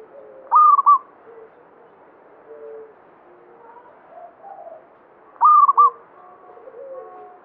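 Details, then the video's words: Zebra dove of the banyumili type singing strongly: two sharp, trilled coo phrases about five seconds apart, with quiet low notes in between. "Perkutut lokal banyumili suara gacor"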